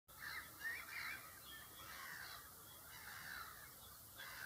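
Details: Magpie giving harsh, raspy chattering calls, a steady run of rough noisy bursts lasting about four seconds, with faint steady background hiss.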